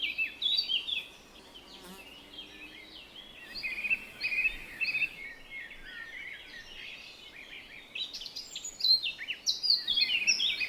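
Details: Chirping of several small birds, bright high twitters and short tweets in dense bursts that thin out midway and swell again toward the end, over steady faint background hiss.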